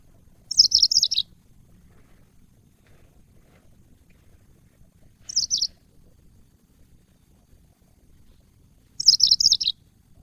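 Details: Yellow-fronted canary, named as the African Mozambique bird, recorded as training audio for cage birds: three short, high, buzzy-chirped bursts spaced a few seconds apart, with quiet gaps and faint low background rumble.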